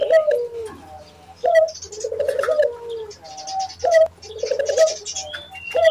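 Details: Nias hill myna lure call used to provoke other mynas, heard as mellow low whistles that slide downward, repeated about every two seconds, with faint higher chatter in the background.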